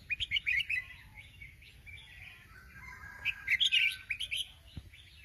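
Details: Sooty-headed bulbul in active song, giving a fast string of short bright chirps, a softer warbled stretch, then a renewed burst of lively twittering notes over faint low rumble.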